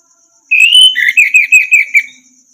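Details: Orange-headed thrush, recorded as a master song for teaching other birds: a drawn-out rising whistle followed by a rhythmic series of about six slurred, falling notes, backed by a soft constant insect buzz.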